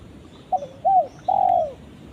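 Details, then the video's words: Spotted dove (tekukur) calling its companion: a short note, then a longer coo, then a long drawn-out falling coo, low and soft against a quiet background. "suara burung tekukur memanggil temannya"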